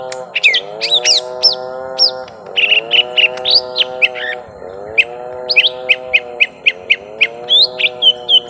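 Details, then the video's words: Young lesser green leafbird in a prolonged fight with a rival: bright high chirps giving way to a fast run of evenly repeated sharp notes, about two per second, over a pulsing low hum. "Suara Pertarungan panjang cucak ijo mini muda"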